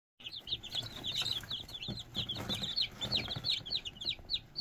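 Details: Red junglefowl chicks calling: a dense stream of short, high peeping notes overlapping one another, with low rumbling sounds underneath.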